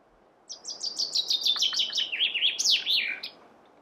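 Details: Chaffinch song: a cascade of quick high notes tumbling downward in pitch, then a louder emphatic swooping flourish to finish, lasting close to three seconds, with soft background hiss.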